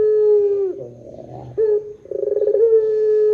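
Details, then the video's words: Barbary dove of the pelung type calling to lure other doves: a held coo dips at its end, a soft low roll follows, then a sharp note and quick throbbing pulses grow into another long steady tone. "SUARA PUTER PELUNG PANJANG JOSS . PANCINGAN SUARA PUTER GACOR DORRR JERNIH"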